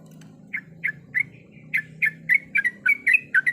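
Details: Sooty-headed bulbul female calling for a male while in breeding condition; spaced chirps quicken into a denser run of clear, slightly varied notes, about three per second, above a low droning hum.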